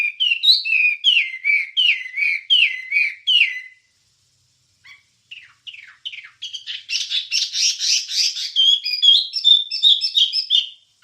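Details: Wambie song used to train songbirds. A run of quick, repeated down-slurred whistles is followed by a brief lull with scattered notes, then a dense, buzzy, chattering burst that turns into fast twittering.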